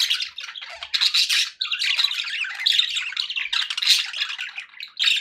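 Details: A happy group of pet budgerigars chattering in dense, high, scratchy warbles, briefly dipping at about one and a half seconds before the noisy squawking chorus resumes.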